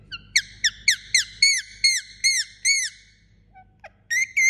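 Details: While asleep, an Indian ringneck parakeet repeats a clear whistled note with a downward curl about twice a second, pauses briefly after a soft squeak, then resumes with two more bright whistles.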